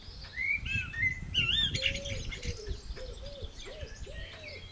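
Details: Eurasian blackbird singing while another blackbird answers in the background: rich fluted warbles and twisting whistled phrases in the first two seconds, over a pigeon's low cooing that repeats steadily throughout.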